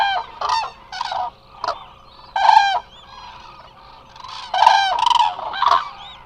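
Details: A large flock of Eurasian cranes resting at the Hula Nature Reserve, Israel, a lake and swamp site, gives loud, rolling trumpeting calls, several birds overlapping in bursts every second or two, with a faint steady hum underneath.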